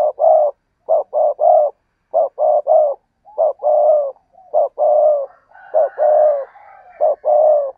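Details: Spotted dove cooing in short, low, hollow notes grouped in threes and fours, each group repeated about every second with brief pauses between, and a faint higher chatter near the end.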